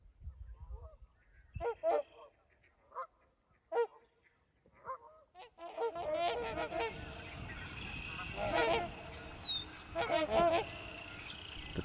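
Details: Trumpeter swans in Wisconsin wetlands in spring give deep, horn-like honks in loose, uneven bursts; several birds call together in the second half over a steady rushing background.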